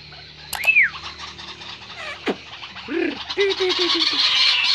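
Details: A White-browed crake recording used as a lure for trapping: a high arched whistle, a sharp downslurred note, then a run of low nasal chattering notes over a steady background hiss.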